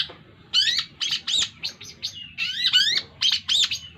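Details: Caged eight-month-old Long-tailed Shrike, a contest bird, singing a full Tengkek Buto style joined to greja and yeret imitations: high, harsh, rapid slurred phrases in quick bursts of about one second.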